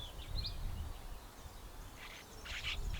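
Cape sugarbird giving a thin high chip, then a burst of harsh, scratchy grating notes, over a steady low wind-like rumble.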